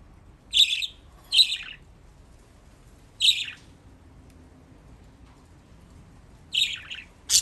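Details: Budgerigars kept as pets in Japan, enjoying a water bath, give scratchy chirps in a quick pair, then one alone, then a closing burst, with quiet gaps between.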